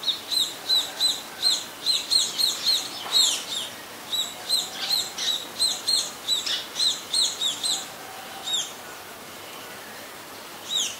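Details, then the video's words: Scaly-breasted munia at Ubon Ratchathani, Thailand, 26 March 2022, a very common resident: a rapid run of high, thin chirping notes about three a second for eight seconds, then scattered single notes over faint background noise. "นกกระติ๊ดขี้หมู (scaly-breasted munia or spotted munia)"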